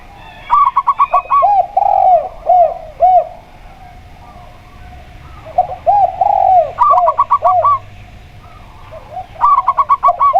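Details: Perkutut, a local zebra dove with a clear 'plong' tone, alongside a spotted dove. Three bursts of five to six quick staccato notes, separated by deeper, rolling coos from the second dove.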